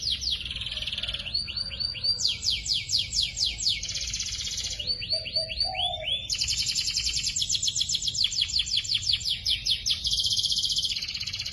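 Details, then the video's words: Young canary singing in a tutor recording: buzzy high trill, rolling series of arched whistles, a fast rattle, then long dense rapid trills continuing to the end. "KUMPULAN SUARA BURUNG KENARI GACOR (MASTERAN KENARI ANAKAN)"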